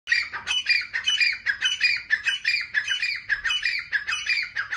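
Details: Francolin calling in a steady run of harsh, squawking notes, about one and a half per second, each note rough and broad with a scratchy buzz. The background is quiet.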